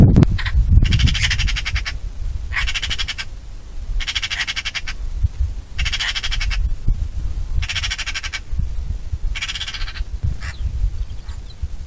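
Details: Eurasian magpie chattering: rapid, rattling bursts of harsh notes, each about a second long, repeated roughly every one and a half seconds, five rattles in all, over low background rumble.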